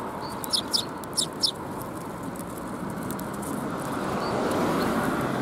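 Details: Sparrows coming to be fed at a Tenmangu shrine on 4 January 2021; four sharp, high chirps in quick pairs during the first second and a half, then only a steady rushing background noise that grows louder.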